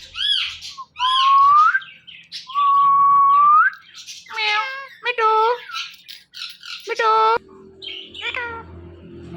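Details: Captive Indian ringneck parrot talking: high, nasal, speech-like syllables and drawn-out rising whistled notes, several rapid chattering phrases, with a person's voice nearby repeating words to the bird.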